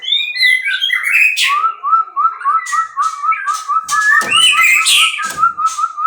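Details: White-rumped shama from captive breeding gives a few swooping whistles, then a long steady run of repeated short piping notes, roughly four per second, overlaid by scratchy chatter.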